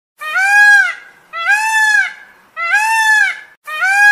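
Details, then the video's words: A peacock gives four loud, nasal, trumpeting wails, each about a second long and spaced a little over a second apart, with nothing else heard. "Peacock Sound"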